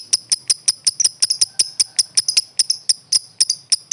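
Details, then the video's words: Lovebird, a world-champion competition bird, repeating piercing, clipped high chirps at a steady pace of roughly five per second, with a faint low hum underneath. "SUARA BURUNG LOVEBIRD JUARA DUNIA"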